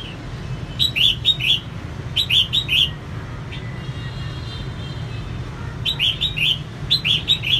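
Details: Female red-whiskered bulbul used to excite male birds, delivering short bursts of three or four sharp, warbling notes, repeated about every one to two seconds with a quiet pause midway, low hum throughout.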